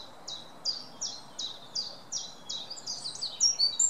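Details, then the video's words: A wren sings a loud, high series of sharp repeated notes, about two per second, speeding into a jumbled trill at the end over soft background hiss. "Wren singing"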